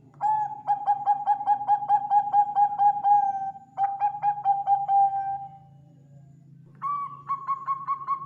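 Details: Vigorous song of a Bangkok-type zebra dove, used to lure and tutor birds. A long burst of quick, even coos is followed by a shorter burst, a drawn-out fading note, a pause, then a slightly higher cooing series. A low hum sits underneath.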